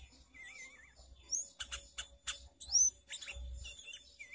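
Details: Lure song of a sooty-headed bulbul for trapping: a wavering, warbled whistle opens, followed by scattered sharp chirps, high clear whistled slurs and a closing wavy note, with low thumps in the background.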